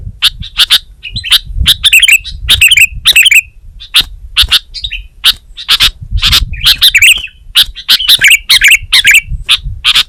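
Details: Kutilang, the Sooty-headed bulbul, singing vigorously: repeated sharp chirps interspersed with short gurgling, wavering whistled phrases, delivered in irregular bursts with brief pauses.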